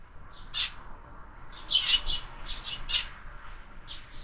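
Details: Several sparrows at a window-mounted feeder on a lively morning give short, bright chirps in loose bursts, some paired, with quiet gaps between them and a low background hum.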